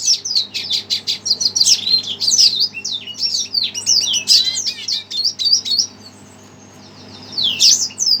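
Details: Red siskin reacting excitedly to a played recording: a long, rapid, high-pitched twittering song with trills, a short silence near the end, then another burst.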